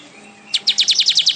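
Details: Vigorous weaver (manyar) song: after a short quiet lead-in, a rapid train of about nine high, down-slurred chip notes delivered evenly, each a quick sweeping tick.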